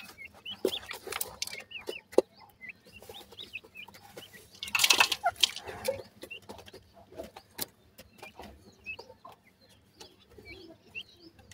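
Grey francolin chicks give many thin, high peeps, short rising and falling notes scattered throughout. Rustling, tapping and a brief noisy burst are also heard.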